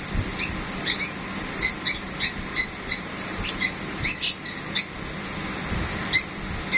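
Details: Sun conures during mating utter short, sharp, high chirps, singly or in pairs, about every half second, separated by quiet pauses, with a soft background hum.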